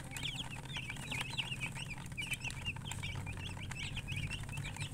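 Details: Several chicken chicks peeping continuously: many short, high, downward-slurred cheeps overlapping in a busy chorus, with a low background rumble throughout.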